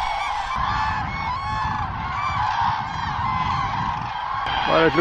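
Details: About 15,000 common cranes at their spring gathering at Trandansen, Sweden, at evening before leaving the field to roost, give loud, overlapping trumpeting calls in a steady chorus, with low wind or handling noise beneath.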